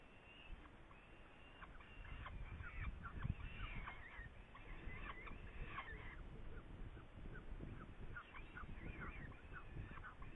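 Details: Saker falcon in Hungary, 8 May 2019, around prey: a series of harsh, raspy, repeated calls with layered overtones, some rising and falling, over a steady low rumble of background noise.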